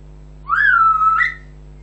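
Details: Pet African grey parrot whistling one clear tone that swoops up, slides down and levels off, then lifts briefly at the end, lasting about a second over a steady low background hum.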